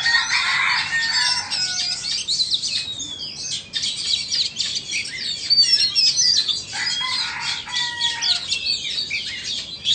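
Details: Oriental magpie-robins from Vietnam and Indonesia in a singing match. Continuous, rich, high twittering fills the recording, broken by a few drawn-out pure whistles and short lulls before the chatter resumes.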